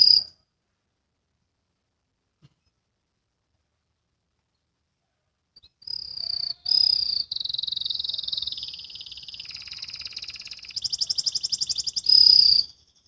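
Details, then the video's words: Young canary practising ngriwik song. A single high note starts it, followed by about five seconds of silence, then a continuous rolling high warble with trilled stretches and a shift lower before it rises again. "KENARI BELAJAR BUNYI, BELAJAR NGRIWIK"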